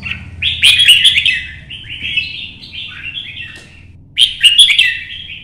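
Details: In early morning sun, a lone red-whiskered bulbul sings a competition 'chạy cầu' song used to rouse other birds: a loud emphatic burst, then a descending series of warbled phrases, a pause, and another strong burst.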